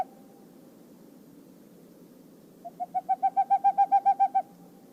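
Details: Boreal owl (Aegolius funereus) hooting: a quick, even run of about thirteen low, hollow hoots that swell in loudness over two seconds, over a faint steady hum.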